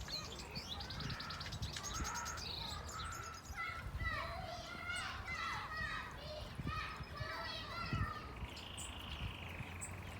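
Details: An Azure tit (Cyanistes cyanus), aviary-bred and flying free in a villa garden, gives quick, high chirps and twittering calls in a busy series, with people talking nearby.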